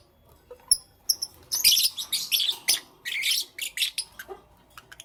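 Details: Lovebirds in the morning giving shrill, harsh chirps in quick bursts. A few clean high pips open the passage, then dense overlapping squeaky calls follow with short pauses between them.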